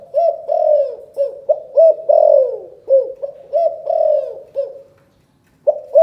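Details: Spotted dove from Can Tho, Vietnam, giving a calling coo in the 'chụp chụp ô' style: a run of mellow, hooting coo notes, some rising and some falling, grouped in quick bursts with a short pause near the end.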